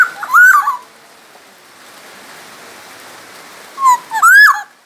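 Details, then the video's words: Black-naped oriole, a masteran recording from Sumbawa used to train other songbirds: two bursts of fluid, slurred whistles with a harsh upper edge, separated by about three seconds of quiet hiss. "suara burung kepodang emas gacor asli sumbawa masteran kepodang emas"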